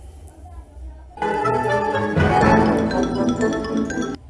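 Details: Bright mallet-percussion music with sustained tones and a faint voice, with no animal sound.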